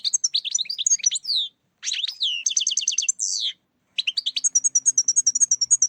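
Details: European goldfinch singing, played to lure birds for catching: lively high twittering phrases broken by short pauses, a dense rattled trill and a drawn-out buzz, closing with a steady series of rapid sharp chirps.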